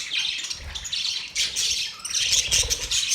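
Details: Budgerigars, called happy, give quick clusters of bright, high chirps and squeaky twitters in uneven bursts, with a short lull near the two-second mark.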